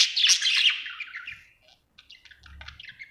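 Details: Happy budgerigar giving a loud rasping warble that fades over a second and a half, followed by quick soft ticking chirps.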